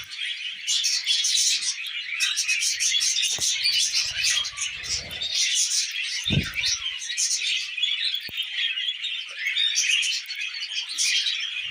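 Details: Tame pet budgerigars eating millet give dense, continuous warbling chatter: overlapping high chirps and buzzy twitters with no pauses. Brief low thuds and rustles come through near the middle.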